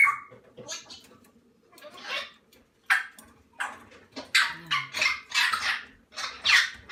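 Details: Chicks of the Salmon-crested cockatoo, less than a month old: rhythmic, hoarse, hissing rasps that build into a rapid run of bursts, with brief human voice in the background.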